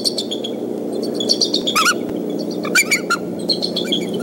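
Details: Bald eagle pair defending their Decorah nest and family from an intruder, tentatively a fox squirrel, on a mid-April 2014 afternoon; sharp upswept squealing notes rise in two short clusters among scattered faint high chips.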